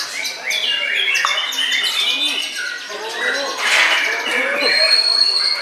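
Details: White-rumped shama in a bowing display pouring out fast, jumbled song: clicks, short whistles and chattering runs about three or four a second, amid dense background bird chatter.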